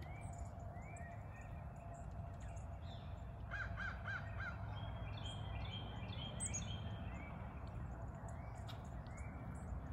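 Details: Three crows that have come every morning for several years, asking for breakfast after rain: brief harsh caws sound now and then, some in quick runs of three or four, over a steady low rumble of background noise.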